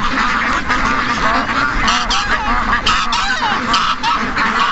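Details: Over 700 ducks and geese in a morning rush, a dense chorus of overlapping honks and quacks, loud and continuous with repeated nasal calls rising above the din.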